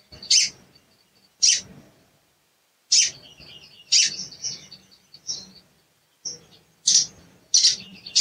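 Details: Cuit cuit lure from a sooty-headed bulbul to make a quiet bird sing: a string of about eight crisp, high chips in uneven bursts, some followed by brief twitters, with short silent gaps.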